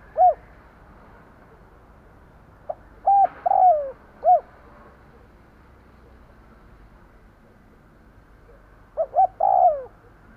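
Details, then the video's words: Spotted dove kept as a decoy gives repeated cooing phrases to attract wild birds: a low hoot, then a phrase of short notes, a falling coo and a closing note, with a further phrase near the end. "Tiếng cu gáy mồi gù gáy kích bổi nhanh nổi / Cu gáy gù gáy kích bổi hiệu quả"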